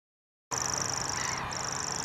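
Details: Common grasshopper warbler at Dormans Pond, a Tees bird club site near Saltholme, Teesside, singing a high, dry, insect-like reel that runs on without pause apart from one brief break midway. The song starts abruptly after half a second of silence.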